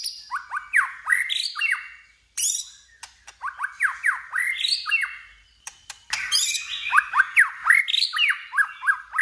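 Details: Contest song of a White-rumped shama, provoked to sing for fighting: long, rich strings of falling slurred whistles mixed with high buzzy flourishes and crisp clicks, pausing briefly before resuming even louder.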